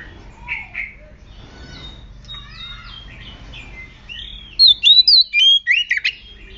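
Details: Oriental magpie-robin lure song: soft, low warbles and drawn-out notes at first, then a loud sequence of clear, sliding whistles with a harsh, buzzy note near the end.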